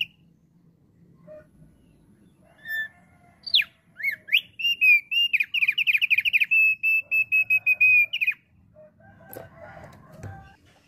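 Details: A Thick-billed heleia sings energetically as a lure for wild bird flocks: a few rising whistles, then a long fast run of warbled, bubbling notes and steady whistles lasting about four seconds, followed by a brief rustle.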